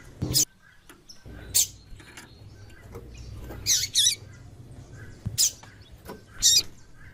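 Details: Female double-collared seedeater calling frequently to stimulate the male: short high chirps, some in quick doubled pairs, spaced irregularly over a few seconds against a low background rumble.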